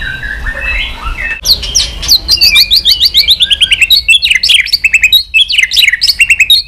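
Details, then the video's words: White-rumped shama in full song, a fast, tumbling stream of high whistled and chattering notes sweeping up and down, growing denser after a soft, lower opening phrase. "Chòe lửa tạch liên tục"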